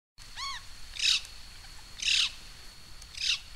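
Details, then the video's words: A Black-throated magpie-jay at Rancho Primavera, El Tuito, Jalisco, Mexico, gives a quick ringing, stacked note, then three harsh, rasping bursts about a second apart, over a thin steady high whine. "Black-throated Magpie-Jay"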